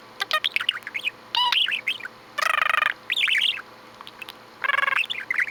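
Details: A pet budgie keeps up lively chatter, mixing quick twittering chirps with several harsh, buzzy squawks of about half a second, in an indoor room.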